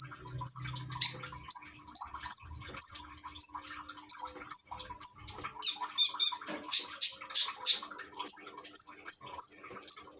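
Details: Caged common iora in Gresik, Indonesia, encouraged to sing with running-water sounds, phone recording: a lively series of bright whistled and buzzy high notes at a steady pace, with a low hum early on and soft water sounds.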